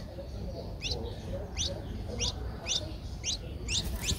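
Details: Eleven-day-old Streak-eared Bulbul nestling in Ubon Ratchathani, Thailand, recorded 13 April 2023, with eyes open since day seven. It gives sharp, high, downward-twisting chirps, six in a row, roughly every 0.7 seconds, over a steady low rumble.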